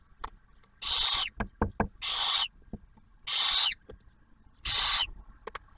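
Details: Barn owls at a nest camera at Ottawa National Wildlife Refuge near Oak Harbor, Ohio, with the male delivering food and the female sharing a meal with the first-hatched owlet. Four harsh, breathy hisses of about half a second, with soft clicks between them.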